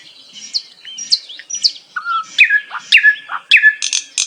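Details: Bulbul, locally called Sikatan Londo, singing a strong, melodious phrase of varied whistled and slurred notes, some falling and some rising, with short buzzy bursts near the end.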